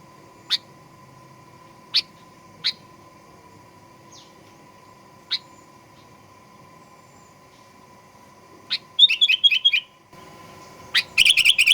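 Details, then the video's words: Sooty-headed bulbul in a 'gacor fighter' lure recording for provoking aggressive song: a few widely spaced sharp chirps, then two rapid bubbling warbled phrases near the end, with a steady faint hum throughout. "Kicauan Kutilang Pikat Gacor Fighter"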